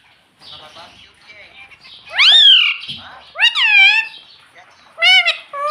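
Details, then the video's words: Talking parrot at home uttering "mummy" in three loud, sliding, high-pitched syllables over a faint murmur of background chatter. "mummy bolne wala tota"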